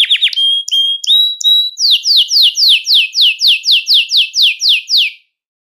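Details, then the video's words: Belgian canary singing a song used to attract canaries: a few short whistled notes, then a long series of evenly spaced downslurred notes, about three each second, ending in silence. "CANTO PARA ATRAIR E CHAMAR O CANÁRIO BELGA"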